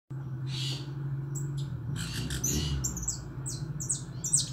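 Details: A pet European goldfinch (Carduelis carduelis) sings quick, high, tinkling twitters in rapid bursts over a steady low indoor hum; European goldfinch song.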